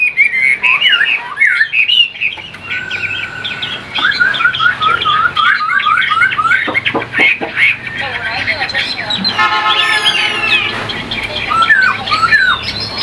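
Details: Vietnamese caged Chinese hwamei sings a dense, continuous stream of slurred whistles and trills, while a person talks and a brief buzzing, tonal noise cuts in partway through.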